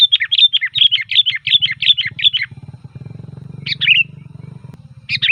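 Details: Fast, dense series of bubbly whistled notes from a sooty-headed bulbul, used to call bulbuls, followed by short separate phrases over a pulsing low engine-like rumble.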